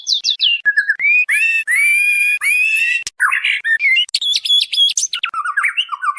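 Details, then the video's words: Female white-rumped shama calling the male, a recording meant to lure birds: loud, clear whistled notes that rise and fall, some long and sliding, others quick and stepped, with a few harsher, broader bursts mixed in. "SUARA MURAI BATU BETINA MEMANGGIL JANTAN"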